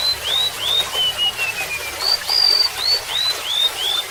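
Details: High whistled song of a golden-bellied gerygone: a run of rising slurs sliding down the scale, a brief pause, then a fresh cascade of sweet notes, set against murmuring water.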